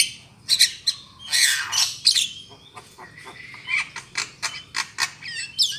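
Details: Javan myna lure call for bird trapping: loud, harsh, raspy squawks in quick bursts, mixed with short chattering notes and a few thin whistled slurs near the end.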